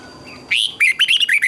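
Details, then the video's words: Red-whiskered bulbul morning training song, with double twisted notes, used as a lure sound for training caged birds: after a short opening note comes a quick run of five bright, warbled, rising-and-falling whistles over a quiet background. "Luyện chào mào hót sáng hay nhất, Ép chào mào hót âm kép xoắn hay tuyệt, luyện chào mào hót căng lửa"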